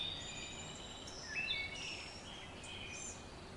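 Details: Wood Thrush song played on a creekside nature trail, a brown bird fond of tall trees: flute-like whistled phrases with a rising note and high ringing trills, sounding ethereal over soft ambient noise.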